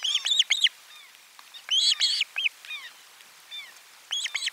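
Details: Osprey calling at its nest during a lunchtime fish delivery, 12 July 2022, nest camera 4; loud clusters of high whistled yelps, quick doubled and tripled notes separated by softer single chirps.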